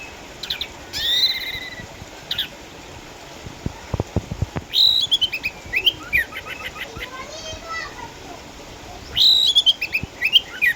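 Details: Retired champion orange-headed thrush, eight years old and kept at home in Sukabumi, Indonesia, after developing cataracts, singing energetically: high whistled notes followed by fast runs of chattering, stuttering syllables and downward slurs, phrases returning every few seconds.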